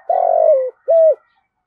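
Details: Spotted dove in 'giọng thổ' style, urging and calling coos: one long, throbbing coo that sags in pitch at its end, followed by a short, clear, level arched coo.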